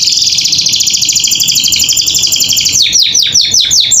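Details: Persistently singing canary used to teach young captive birds their song: nearly three seconds of rapid rattling trill, then a series of sharp descending whistled sweeps.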